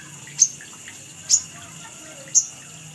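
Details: Three piercing high chips, spaced roughly a second apart, from a little spiderhunter (sogon) on a lure recording, against faint background hiss.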